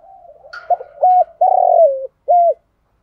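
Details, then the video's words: Decoy spotted dove calling to entice wild doves: clipped short coos, a drawn-out rough note that drops in pitch, then one last short coo, over faint low murmuring. "chim cu mồi thúc gù bài bản nhất hiện nay, chim cu gáy kích bổi hiệu quả nhất hiện nay"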